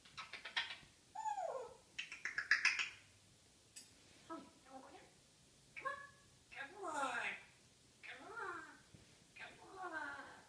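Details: Pet African grey parrot indoors during its morning banter, pouring out speech-like babble, whistled notes that swoop up and down, and clicky bursts in quick runs separated by short pauses.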